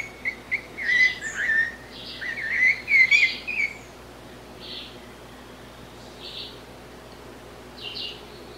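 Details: Blue-bellied parrot (sabiá-cica): a lively run of quick, twittering warbled notes for about three seconds, then softer scattered calls spaced a second or more apart, against low steady background hum.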